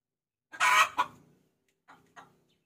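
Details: Hen calling for a rooster, lure sound: a loud, rasping drawn note cut off by a sharp second note, then silence and two soft, spaced clucks.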